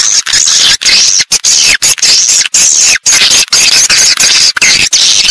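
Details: Nesting-house lure sound of swiftlets: near-continuous high twittering and chattering, loud and buzzy, with brief pauses every half second or so.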